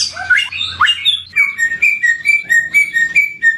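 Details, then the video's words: Samyong bird, an endemic songster, starts with a couple of sharp rising notes, then settles into evenly spaced, sweet whistled notes swinging between two pitches. "BURUNG SAMYONG || ENDEMIK"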